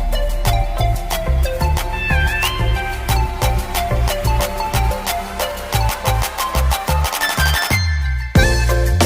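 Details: Lively instrumental music with plucked tones, steady beats and a deep bass line, ending in a short pause before the music resumes.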